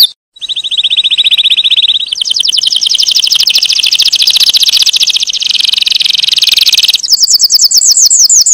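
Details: Canary delivering long rapid trills, first a steady even roll, then a faster, denser rattle for several seconds, ending in quick high sweeping notes, all loud and unbroken.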